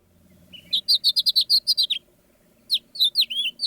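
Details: House finch (Haemorhous mexicanus) song, St Joseph/Elkhart County, Indiana: a quick, jumbled run of high warbled notes rising and falling, with buzzy slurred phrases, in two bursts separated by a short pause.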